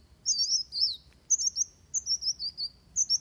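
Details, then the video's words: Van Hasselt's sunbird, fighting song for bird training: two warbled high phrases followed by a string of evenly spaced thin wavering notes, quiet background. "Suara Kolibri Wulung Tarung Buat Masteran"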